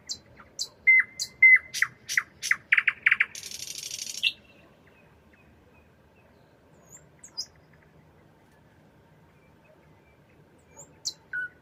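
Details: At night a nightingale delivers sharp high notes, a steady whistle and a rising sequence of loud repeated chocks, then a one-second buzzy rattle; quiet follows with only a few faint high notes later.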